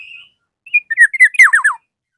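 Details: Black-naped oriole calling a rival: a thin high whistle, then a short run of clear notes ending in three or four quick downward-slurred whistles, rich and fluty, with no other sounds.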